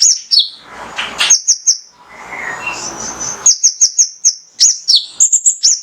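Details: Male mangrove whistler song intended to get caged birds singing: high, clear whistles in rapid trills and downslurred notes, with a stretch of rustling noise before the song resumes strongly.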